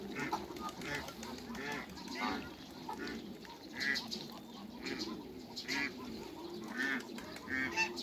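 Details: Hybrid Cayuga and female Muscovy ducks greet on meeting with continual overlapping raspy calls. Some calls stand out louder, at about 4 and 7.5 seconds.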